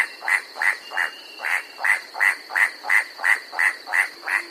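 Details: Steady series of about thirteen percussive clacks, close to three each second, from a white-striped forest rail of Bird's Head mid-mountain forest in New Guinea, its voice an incessant clacking; faint continuous high hum behind.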